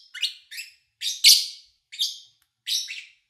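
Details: Lovebirds recorded in early August 2019, with the owner away and little human noise; six piercing, slightly descending chirps at uneven intervals, the fourth loudest and harshest.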